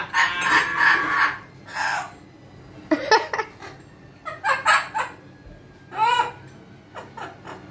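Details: Amazon parrot giving a run of harsh, harmonic squawk-like syllables and short chattering bursts, grouped in clusters with brief pauses between them, in a quiet indoor setting.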